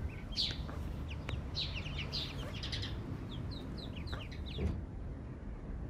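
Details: Eastern spot-billed duck mother and ducklings lost in an area without water; sharp high peeps come in quick bursts, with a few louder clicks and knocks, then the peeping fades near the end over low rumble.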